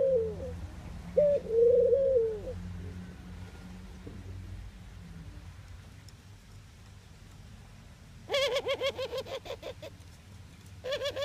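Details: Eurasian collared dove from the Netherlands gives two soft coos, then a pause, then a fast series of harsh nasal notes with rich overtones and a second burst at the end.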